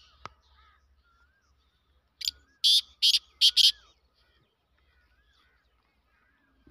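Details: Black francolin calling: a short run of four or five harsh, broadband, buzzy notes in quick succession, with faint whistled notes from other birds in the background.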